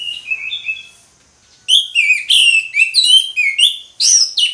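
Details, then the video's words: Orange-headed thrush singing in the ngeplong style: a few soft whistled notes, a pause, then a loud run of varied slurred, rising and falling whistles with quick breaks between phrases. "ANIS MERAH NGEPLONG, SUARA ANIS MERAH NGEPLONG"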